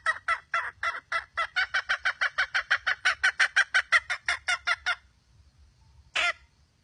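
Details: A wild red junglefowl hen clucks rapidly and harshly for about five seconds, the notes crowding closer together, then falls silent before one last isolated cackle.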